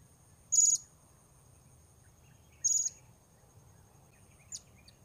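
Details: Blue-crowned hanging parrot at Port Baru, recorded while wild birds are lured, giving two drawn-out buzzy, very high notes about two seconds apart and a brief faint chirp afterwards.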